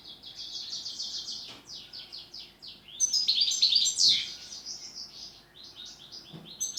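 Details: European goldfinch delivering pletivo-style song ('ziju u ziju stanka'): fast tumbling twitters and tinkles, rising into a loud, bright, dense flourish around the middle before easing into quieter chattering notes, with faint low background noise.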